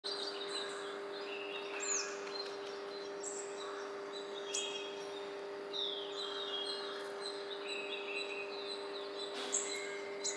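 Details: A Blue-capped Rock Thrush in a busy residential neighbourhood of Koramangala, Bangalore, on 29 October 2020, gives scattered high chirps and short thin whistled notes at an uneven pace, over a steady low mechanical hum.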